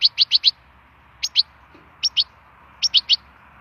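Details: Wild goldfinch song for stimulation, delivered as clusters of two to four clipped, high tweets separated by short gaps, over a quiet background.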